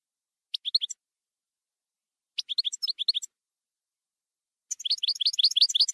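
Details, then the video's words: Campero-style European goldfinch song from a 2020/2021 recording: two short bursts of liquid rising chirps, then a long fast rolling run of about a dozen bright twittered notes; no other sounds. "NUEVO CD JILGUERO CAMPERO 2020/2021"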